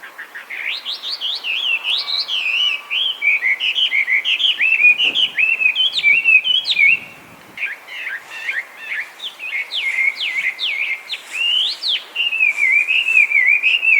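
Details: A wild Chinese hwamei in Japan, an invasive bird that sings nonstop and copies other species, delivers fourteen seconds of varied, far-carrying whistled phrases with upslurs, trills and warbles, broken by one short pause midway.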